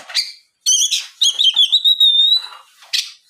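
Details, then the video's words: Bright Oriental magpie-robin singing as a lure for other magpie-robins: a scratchy opening note, then a long, clear high whistle with ringing overtones, ending with a short sharp chip. "SUARA PIKAT BURUNG KACER GACOR NGEPLONG"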